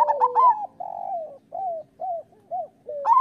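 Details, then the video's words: Zebra dove, a local bird, cooing as training song for doves that sing rarely: two sharp opening notes, a rolling trill, then four short separate descending coos and a final loud note. "Perkutut lokal gacor Suara Masteran Burung Perkutut Paling Ampuh"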